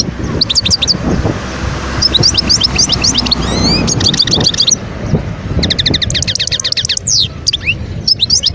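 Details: European goldfinch in the wild at Guerbaz near Skikda, Algeria, 2022, giving rapid high trills and buzzy chattering phrases, some notes sliding upward, with continuous low-pitched background noise throughout.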